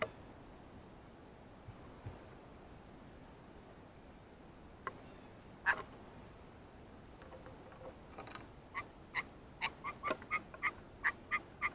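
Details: Blue jay, excited at seeing a ripe banana for the first time, gives calls said to imitate a monkey. Near-silence at first, a few scattered notes, then a fast run of clipped, harmonic calls repeated about every third of a second.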